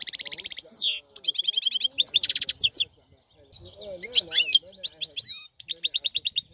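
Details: Singing European goldfinch: rapid trills of bright, high notes and twangy buzzes, interrupted by a short pause, then more tinkling twittered runs.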